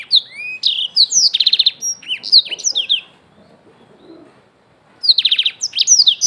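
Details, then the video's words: Young black-throated canary singing a fast, high, varied song of sweet slurred whistles and rapid buzzy trills; it stops for about two seconds, then bursts out again. Used as a lure to bring on song. "memancing BLACKTHROAT MUDA CEPAT GACOR"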